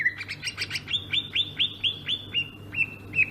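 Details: Rolling ngerol song of a Sumatran greater green leafbird: a quick burst of chattering notes, then a string of about ten clear upswept whistles, evenly spaced, with a low background hum.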